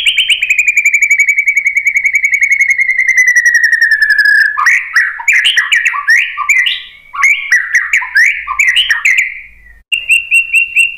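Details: Shama lure song, white-rumped shama, used to provoke other birds into replying: a long steady rapid trill falling slightly in pitch, then a busy mix of varied whistles and chatters, closing with a high repeated note.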